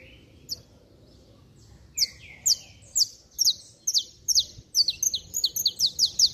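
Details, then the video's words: Saffron finch singing hard to excite other saffron finches: a few lower slurred notes, then an accelerating string of loud, sharp, high chips sliding downward, growing denser toward the end, background otherwise quiet. "Canário da Terra Estralando Muito - Ótimo Para Esquentar Qualquer Canário-da-terra!!!"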